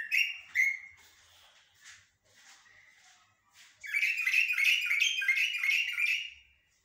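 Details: Common blackbird, locally called jahmumiya or shahrour, singing in the song styles known as haddadiya and askariya: two clear fluty whistled phrases, softer scattered notes, then a dense, rapid run of chattering, twittering notes lasting about three seconds.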